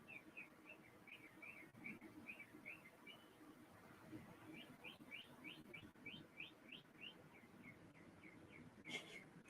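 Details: A Northern Mockingbird singing outside on April 20, 2022, repeats short, bright chirps several times a second, then switches to a run of rising notes, with a person talking quietly underneath; this bird sings all night and can mimic car alarms.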